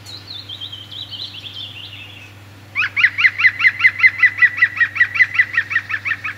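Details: European green woodpecker, recorded in 2016 through a window as it drank and bathed. A fainter descending series of high notes comes first, then the woodpecker bursts into a loud, evenly paced laughing run of ringing notes that continues to the end.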